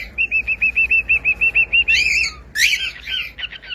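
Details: Cockatiel giving a steady, rapid series of about twelve short identical whistled chirps, then a burst of louder harsh chattering notes.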